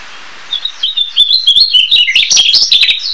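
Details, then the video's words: Narcissus flycatcher singing: after a soft opening whistle, a rapid run of clear, warbled notes between mid and high pitch, varied and tumbling, rising and falling quickly, ending on a sustained high note. "黃眉黃鶲/Narcissus Flycatcher(Ficedula narcissina)singing"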